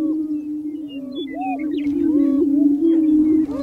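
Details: Booming display of male greater prairie chickens on a prairie lek in spring, courting females: a continuous low hollow hum with arching higher whoops layered over it, several males calling at once.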